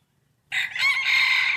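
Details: Breeding rooster competing in a crowing contest, the crow starting abruptly after silence and holding a loud, steady, harsh tone to the end of the recording.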